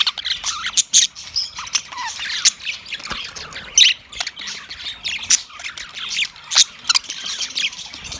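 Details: Yellow male budgerigar chirping for mating, steady scratchy warbling with quick slurred notes and occasional loud sharp clicks, continuous throughout.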